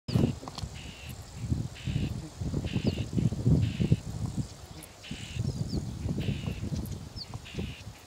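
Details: Common whitethroat by its nest, chattering threateningly as it boldly drives intruders away: short harsh buzzy bursts repeated about once a second, over heavy low rumbling noise, with a few faint high chirps.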